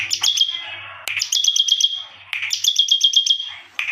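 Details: Bar-winged prinia singing in an unusual style, with sharp downward strokes leading into rapid clicking trills over a held high whistle, repeated in short bursts, with a faint low hum in the background.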